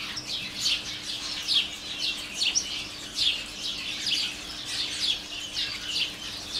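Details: House sparrow colony, many birds in a holly tree and flowering currant at the garden's end, chirping: repeated bright tweets in loose bursts a little over once a second, steady throughout, faint hum below.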